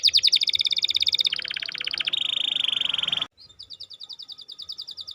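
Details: Canary song used as a lure to stir a lazy or silent bird into singing; fast buzzy trills shifting between pitches, a long steady rattling roll, a brief pause, then a quicker high repeated trill.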